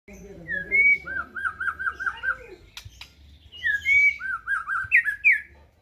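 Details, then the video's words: White-rumped shama singing, a varied run of clear whistled phrases with rapid trilled loops near the middle, a pause, then more looping whistles; a low hum underneath. "MURAI EKOR HITAM"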